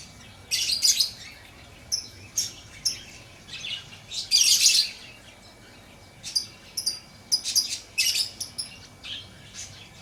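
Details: Lovebird chirping in a lively series of sharp, high, scratchy chirps at uneven intervals, with a louder squealing burst in the middle and quieter flicks between.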